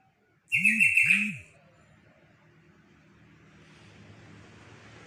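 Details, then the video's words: A single short, gurgling phrase from a yellow-vented bulbul, with two low swooping sounds beneath it. Quiet background hiss follows. "Kicauan burung trocok"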